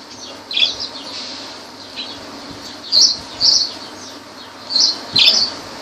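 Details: Lovebirds in Laylan, Kirkuk, giving sharp, high squeaky chirps in short bursts, with quiet gaps between calls and a faint low hum behind.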